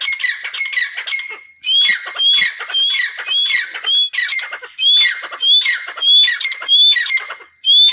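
Grey Francolin calling loudly: harsh, scratchy notes mixed with shrill rising whistles, repeated rapidly about twice a second in an insistent series.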